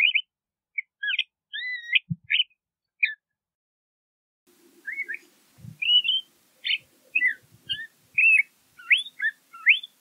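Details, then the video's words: LeConte's thrasher song of varied whistled notes and loops. A quiet gap in the middle carries a faint low hum, then a denser burst of sharp, jumping phrases follows. "LeConte's Thrasher Bird Song, Call, Chirp, Voice - Cuitlacoche Pálido Canto"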